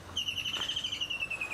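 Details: A kingfisher calls on a sunrise safari drive on 8 December 2016: a fast, high trill of clipped notes that slides gently downward over about a second and a half, with faint background hiss.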